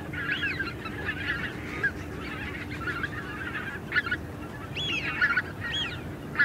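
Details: Small group of greater white-fronted geese calling in flight: repeated high, yelping, slightly rising and falling honks overlapping among several birds, with a steady low background hum.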